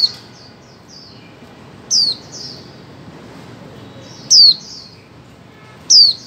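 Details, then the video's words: Female white-eye calling to encourage mute birds to sing, 2024: a run of soft high chirps, then three loud thin descending notes at uneven intervals, each followed by quieter twittering over low background hiss. "Khuyên mái 2024 hàng giành cho chim câm"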